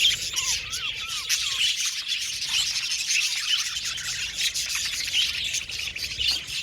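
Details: Colony of aviary budgerigars chattering together: a few clear, wavy, rising-and-falling whistles early on over a thick, unbroken wash of high chirps and twittering.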